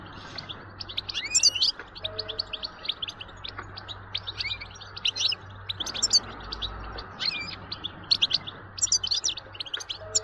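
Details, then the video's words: European goldfinch twittering, aimed at exciting goldfinches to sing continuously: quick bright chirps and slurred notes in steady succession over a constant electrical-sounding hum and background noise. "بتبتة نااار يا حبييبي ناااار لتهييج الحسون ستجعله يغرد من دووون انقطاع"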